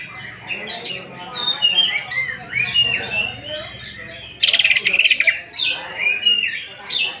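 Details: Greater green leafbird lure song of rough mimicked fills: varied chirps and slurred whistles, broken by a sudden loud buzzy rattling burst, then more rising and falling whistles.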